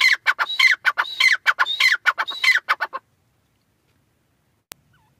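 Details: Pair of Iranian teetar (francolin) in a three-second burst of harsh repeated whistled-and-rasping phrases, then silence broken by a single sharp click.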